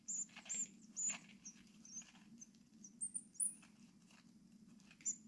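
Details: Orphaned tit chicks, six days old, hand-fed at a wild bird rescue in Brilon, Sauerland, Germany, 25 May 2024; rapid series of very high, thin, slightly rising squeaks and trills, repeated about twice per second, over a steady low hum.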